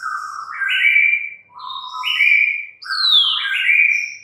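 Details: White-rumped shama singing three flowing whistled phrases, each starting on a lower note and stepping up to richer, higher whistles, with thin high notes above and short pauses between phrases.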